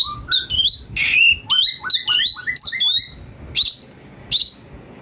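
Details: Brown-breasted bulbul recorded as master song for magpie-robins: mixed phrases of lower, short whistles and higher, bright slurred chirps, followed by two separate sharp notes over a faint background hiss.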